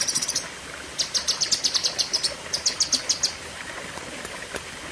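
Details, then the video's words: Cucak kinoi singing in a long burst style: a short high chirp run, a pause, then two fast rows of sharp repeated notes broken by a brief gap, over quiet hiss. "Tembakan Ngeri Cucak Kinoi (Pedes Panjang)"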